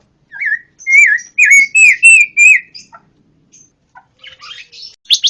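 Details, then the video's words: Pancawarna bird singing a phrase of loud, wavering whistles, followed by scattered soft notes and a closing burst of scratchy, buzzy chatter. "suara burung pancawarna"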